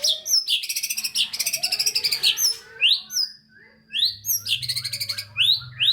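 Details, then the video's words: Energetic White-rumped shama song used to coax reluctant shamas: long buzzy rattling phrases broken by sharp upward-slurred whistles, a short pause, then more rattles and rising whistles with a low hum beneath. "Murai Batu GACOR Full ISIAN‼️ COCOK untuk Pancingan Murai Malas Bunyi dan Kurang Emosi"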